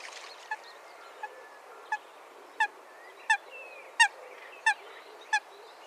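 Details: Calling coot in a wetland: brief nasal notes at a steady pace of about one every 0.7 seconds, growing louder then fading, with steady background noise.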